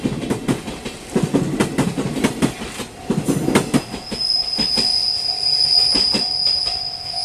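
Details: An arriving train clatters over the rails, then its wheels let out a long, high, steady squeal, with no animal calls heard.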